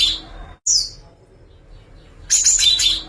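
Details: Java sparrow song in one of several variations: a short high chirp after a brief silence, then a dense burst of sharp, bright twittering notes near the end.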